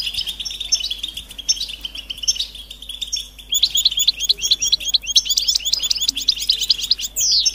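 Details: European goldfinch readiness and mating twitter, used to get a silent male singing: sparse high chirps at first, then from midway a fast, liquid burst of tinkling, buzzy notes ending in a downward slurred whistle.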